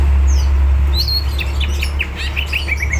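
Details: Greater green leafbird in fighting mood, singing rapid chirped and whistled notes, some sliding down, others flicking up, in a quick uneven string over a strong low background hum.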